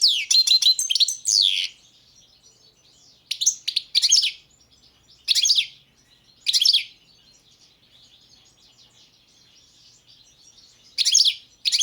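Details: Balkan goldfinch, Carduelis carduelis balcanica, recorded as a 2022 World Championship in Goldfinch Song entry: an opening rush of twitters followed by short scattered chirping bursts every second or two over a soft background hiss.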